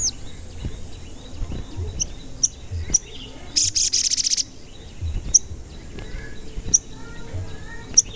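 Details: Sogon, a singing bird used as a lure to make other sogon sing and get agitated: a loud, fast, high buzzy trill of rapid pulses lasting about half a second, between sharp high 'cuit' chirps and soft background clicks.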